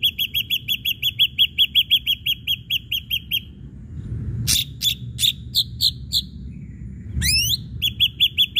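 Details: Lure song of an Ashy drongo, meant to provoke other birds into song. Quick repeated chirps, a sharp snap, scattered short notes, then a twisting upward-sweeping whistle, followed by a return of the rapid chirp series.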